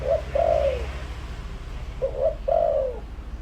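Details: Spotted dove used as a lure giving two matching coo phrases, each a short clipped note and a longer, falling, soft coo, about two seconds apart.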